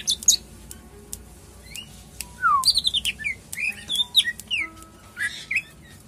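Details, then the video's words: Caged greater green leafbird (cucak ijo) at a bird kiosk, praised for a fine voice and steady temperament; varied bright whistles, rising and falling slurs and quick chirps in short bursts, with faint background hum. "Cak ijo"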